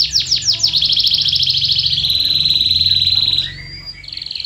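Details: A canary delivers lure song for silent canaries: a few quick downward chirps, then a long fast rattle flattening into a steady high trill, a short dip, and a faint rapid roll.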